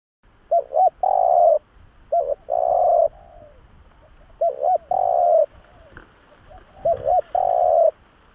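A spotted dove gives four low cooing phrases, each two quick coos then a longer drawn-out coo, repeated about every two seconds against quiet background.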